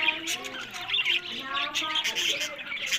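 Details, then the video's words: Caged budgerigars from Larkana, Sindh, kept for breeding, produce rapid grating squawks and chirpy warbling, several birds overlapping, steady and loud throughout three seconds. "Buddies Parrot Voice"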